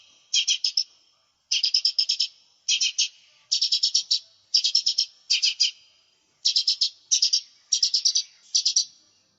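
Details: Lesser green leafbird, recorded as a lure and tutoring song: clipped chattering bursts, each of four or five fast identical notes, repeated roughly once a second with short gaps, high and clean.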